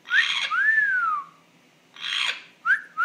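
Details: Pet African grey parrot, its owner puzzled by its strange noises, mixes clear rising-then-falling whistles with short raspy squawks, in a quick irregular sequence indoors.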